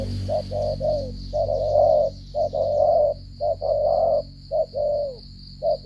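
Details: Spotted dove of Cà Mau, Vietnam, cooing in the stuttering 'gù cà lăm' manner: rapid clipped coos and longer sustained ones in irregular runs, with low hum and a high steady whine.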